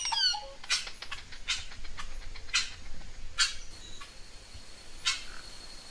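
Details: Crested oropendola (Psarocolius decumanus) song: a quick run of liquid, falling notes, then loud harsh clacks about once a second, with a thin steady whine behind.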